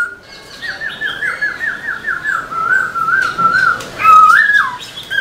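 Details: Caged black-throated laughingthrush in full song with tail dancing: a fast trill of rippling whistled notes, a level warbling stretch, then a loud, clear swooping phrase that rises and falls.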